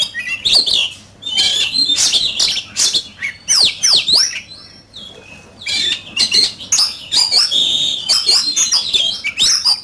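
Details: Oriental magpie-robin in fierce fight-singing (competition song): dense, varied run of loud whistled notes, sweeping slurs and chattering bursts with brief pauses, almost continuous over ten seconds.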